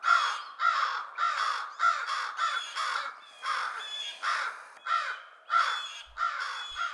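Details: American crows mobbing, alerting others to a detected predator such as a great horned owl or goshawk; several birds give harsh, hoarse caws in a steady, overlapping run of about a dozen, roughly one every half second.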